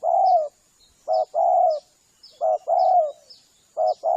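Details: Spotted dove cooing on a hunters' lure call meant to draw doves in: a brief clipped note then a drawn-out mellow coo sliding slightly down, repeated three times, with soft high twitters from other birds.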